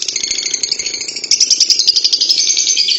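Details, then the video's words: Long ngekek panjang trill from a lovebird: a continuous, fast rattling chatter, high and metallic, growing louder and sharper halfway through and holding without a break. "Love bird ngekek panjang"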